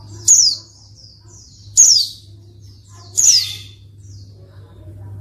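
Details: Calls of a female pleci, or white-eye, meant to stir silent males into song: three piercing descending chirps at roughly one-and-a-half-second intervals, faint high twitters between, and a constant low electrical hum.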